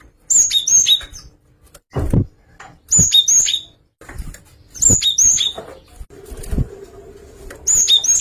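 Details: Java sparrow song variation of short clusters of sharp, high, ringing notes repeated about every two seconds, with dull knocking thumps in between.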